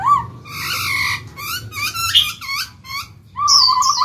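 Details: Black-throated laughingthrush song used to coax fresh-caught birds into singing: scratchy, chattering phrases with many overtones, a short pause, then a clear, wavering whistle at the end.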